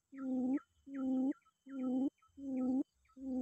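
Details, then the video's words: Low hollow quail hoots, five in quick even succession, given while calling a rival; each note swells briefly and ends abruptly, with small higher chirps between. "pikat puyuh memangil lawan"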